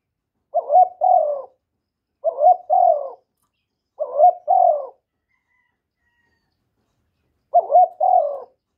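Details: Loud calling of a young male spotted dove, a kept bird: four short double-note coos separated by silent gaps, the last after a longer pause.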